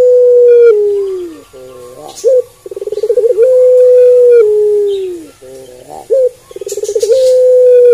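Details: Two full coo phrases from a Barbary dove known as puter pelung, each a short sharp note, a rolling pulsed stutter, then a long level coo drooping at its end; quiet background.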